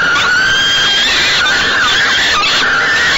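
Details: Harsh, continuous wailing from falcon young in a nest box during an evening feeding, 28 May 2013. Several overlapping, slightly wavering screams, growing rougher and more broken toward the end.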